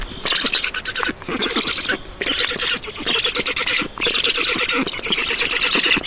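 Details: Estonian black storks being fed at the nest on 7 June 2019 around 16:18: an almost continuous run of harsh, wheezing hisses with rapid ticking pulses, dipping briefly every second or two.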